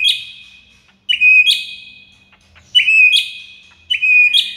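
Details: Murai batu song from a tutor recording for a silent shama: four separate bursts, each a sharp click followed by a steady bright whistle, spaced about a second apart.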